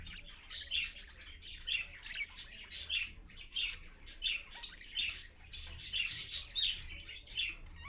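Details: A parakeet parent and babies at 6:20 AM on 4.1.15, streamed live, keep up a continuous run of raspy squawks and short chirps, pulsing in quick bursts with occasional clear whistled notes.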